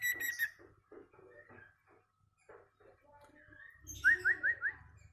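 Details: Sirtu singing in the ceplekan style, a master recording for training caged birds: scattered short chirps and soft notes, then a quick series of four sharp rising slurred notes near the end, with low background hum.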